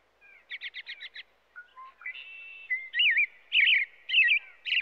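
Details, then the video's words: A robin opens with a rapid run of six short chipping notes, then softer scattered notes, building into loud warbled whistled phrases repeated about every half second. "What does a Robin sound like?"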